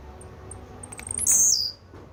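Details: Blue-black grassquit singing: sparse thin high clicks build into a single harsh, sizzling high note that slides down and stops abruptly.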